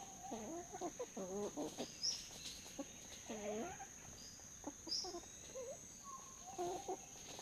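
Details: Red junglefowl at Neung Bird Hide, Kaeng Krachan National Park, Thailand, giving low, soft, chicken-like clucks in short irregular runs, over a steady high insect whine, with a couple of thin chirps from a small bird.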